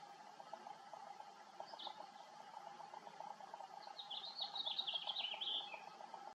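House finch: a single chirp, then a quick warbled run of high notes slipping downward, over a steady insect-like drone.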